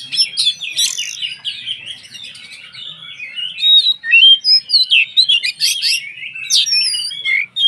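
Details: White-rumped shama (kacer) singing to provoke other shamas into song: fast, jumbled twittering and whistled phrases, building to loud, sharply accented notes repeated in quick succession.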